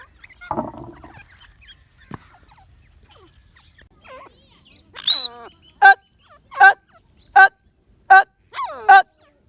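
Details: Grey francolin calling after a quiet start: a series of short, loud, ringing notes about 0.7 seconds apart.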